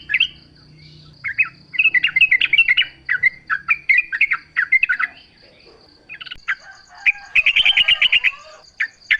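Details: Yellow-vented bulbul singing steadily in a natural setting, played as a lure for other bulbuls to respond; rapid bubbly chatter, a short gap, then a fast, rattling run of notes, with a constant high hum.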